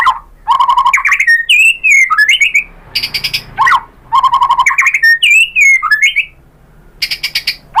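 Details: Varied white-rumped shama song used to provoke other shamas into replying, mixing low repeated rapid notes, sweeping whistled slides up and down, and short bursts of harsh rasping chatter between phrases.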